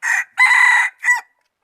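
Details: Rooster crowing, recorded 11 November 2019: a loud, harmonic three-part crow with a short opening note, a long sustained middle note, and a brief final note, all within under two seconds against a quiet background.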